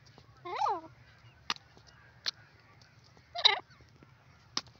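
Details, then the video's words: Teetar francolin heard in forest: two short, wavering, strongly harmonic calls about three seconds apart, separated by sharp clicking ticks in an otherwise quiet background. "beautiful sound of teeter awaz pheasant in the fores"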